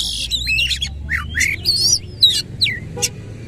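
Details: White-rumped shama singing coarse, buzzy phrases with tail opened: harsh rasping notes, twisting whistles and sharp clicks in rapid irregular succession, over a low rumble.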